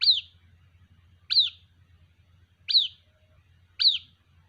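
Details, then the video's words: A white-breasted waterhen chick repeats a high, shrill peep four times, roughly every 1.3 seconds, calling its mother over a steady low hum. "Suara anakan Burung Ruak Ruak, memanggil Induk Ruak"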